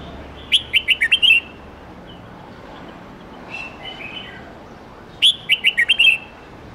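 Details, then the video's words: Red-whiskered bulbul singing a forest-style song of 8-9-10 notes, used to teach young birds: two bright whistled phrases of about six quick notes each, a fainter warble between them, over a steady background hiss. "Chào mao hót nhiều giọng chuẩn rừng âm 8-9-10 cực hay/Dùng luyện chim non học giọng chuẩn"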